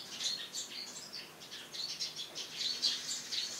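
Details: Morning chirping of Eurasian tree sparrows perched on a house roof: quick, bright, high-pitched notes in uneven bursts, livelier toward the end.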